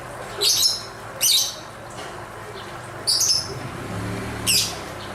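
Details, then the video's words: Lovebird dancing and calling: four loud, piercing chirps spread over five seconds at uneven gaps, with a low rumble of traffic in the background. "Suara indah burung lovebird sambil menari nari"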